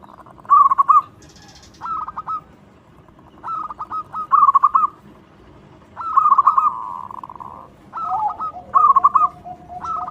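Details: Local zebra dove with a loud song meant to lure other doves: bursts of short cooing notes and rolling trills every one to two seconds, a long purred phrase midway, and a lower, steady second voice near the end.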